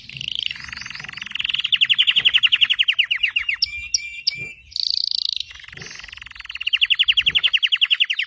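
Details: Red canary of Belgian type in full song, with fast buzzy rolling trills, a brief burst of high whistled notes in the middle, then the rapid trill returns.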